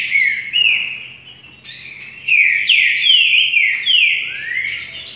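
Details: Rufous-collared sparrow singing 'trinca': pure, loud whistles with repeated steep downslurs and upslurs, a softer middle stretch, then another strong series of sweeping notes.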